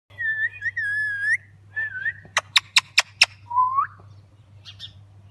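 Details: Pet parrot making a mix of sounds: wavering whistled notes, a rising whistle, then five sharp rapid clicks and a final upslurred whistle, over a low steady hum.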